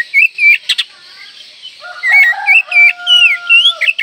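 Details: Oriental magpie-robin with a varied song that stirs breeding condition and angers rivals: loud slurred whistles rising and falling, some chattering notes, and a steady low tone running beneath the second half.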